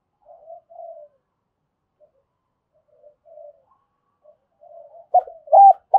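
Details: Decoy spotted dove calling to lure other doves for trapping: soft, faint low coos scattered through the first seconds, then a few loud, clipped, arched coo notes close together at the end.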